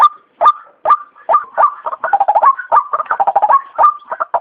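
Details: Lure recording of a white-breasted waterhen for trapping: spaced, downward-sweeping 'kru-ak' notes that give way to a dense, overlapping jumble of quicker, lower clucking syllables.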